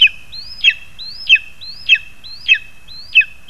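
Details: Lesser spotted eagle parents delivering food to the chick, August 2020: six clear yelps, each a short upswept whistle ending in a sharp downward flick, spaced evenly about every 0.6 seconds over a quiet background.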